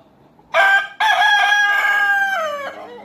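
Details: Rooster crowing at a natural history museum in Deokso, South Korea: one loud harmonic cock-a-doodle-doo with a short opening note, a brief break, then a long sustained note falling at the end, in quiet surroundings.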